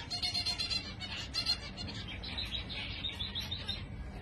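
Zebra finches chatter in a dense flock, with short nasal beeps and high chirps overlapping continuously over a low background hum.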